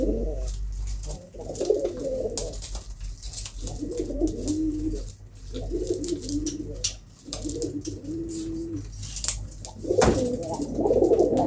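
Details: Kept pigeons cooing in low, throaty rolling bouts, about six runs of cooing separated by short pauses, with scattered clicks and knocks in the background.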